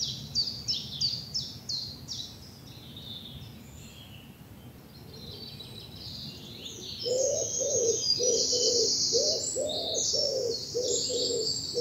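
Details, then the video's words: Early morning spring birdsong in a bluebell wood in the south of England: high chirping trills and phrases from several birds, with a lower repeated cooing call in the second half. "Birdsong and bluebells in the morning sun"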